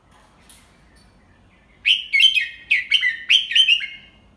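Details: After a quiet start, a Red-whiskered bulbul teaching young birds sings its 'double three' song slowly and clearly: lively warbled whistles in three quick groups, each note sliding downward.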